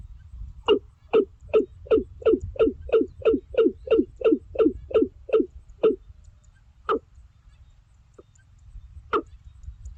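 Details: Watercock calling to others of its kind: a fast run of about fourteen hollow knocking notes, roughly three per second, then slowing to a few widely spaced notes over a low background rumble.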